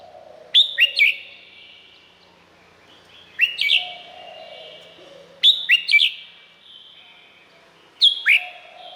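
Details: Red-whiskered bulbul song from Thailand, meant to tutor or excite other birds: four phrases of two or three sharp rising whistled notes, roughly every two and a half seconds, with soft lower tones lingering between phrases.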